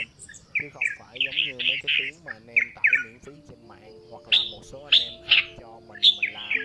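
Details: Red-whiskered bulbuls, male and female, calling the flock in a recording used as a trapping lure: bright, bubbly chirps in quick bursts, louder clustered notes near the end, over steady lower tonal warbling sounds in the background.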